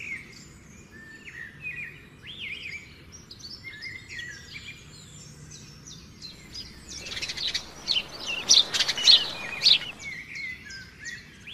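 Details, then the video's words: Nightingale singing near a river among trees: varied clear whistled phrases, some rising, some sliding down, then a loud dense burst of rapid sharp notes and trills, over a faint low rumble. "the sound of the nightingale"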